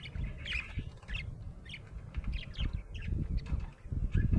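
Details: Happy pet budgerigar chirping: scattered short, bright chirps and warbled notes come in small bursts over a heavy low rumble and bumping.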